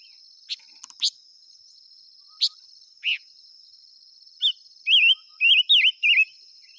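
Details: Five-coloured bird calling to lure wild birds: a few sharp chips and a short buzzy note, then a run of four loud, rapidly wavering whistled phrases, over a constant thin high-pitched whine.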